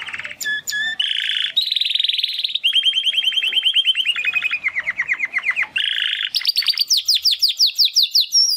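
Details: Two young Timbrado canary brothers, born in the second breeding of 2020, practising song after their first molt; varied sequence of dense rolling trills and buzzy tours, ending in repeated rising swept notes.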